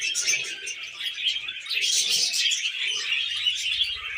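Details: Several tame pet budgies keep up a busy, overlapping warble of high chirps and squeaky twitters without pause, with a faint low hum toward the end.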